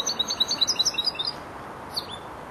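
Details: Young European goldfinch, four months old, starting to round off its song with a rapid run of high twittering notes, then a single chirp after a pause.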